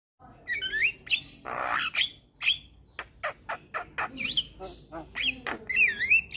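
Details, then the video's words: Male Javan myna singing to set other mynas off: harsh rasping squawks mixed with rising and wavering whistled notes, delivered in a rapid, uneven chatter of short bursts. "SuaRA Jalak Kebo Jantan Bikin Burung Jalak Yang Dengar Langsung Ikut Bunyi"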